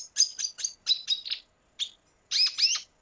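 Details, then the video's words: Red siskin, Venezuela, delivering rapid high twittering notes in a tight series, a short pause, a single chirp, then a louder buzzy double phrase to close. "Canto Cardenalito Venezuela"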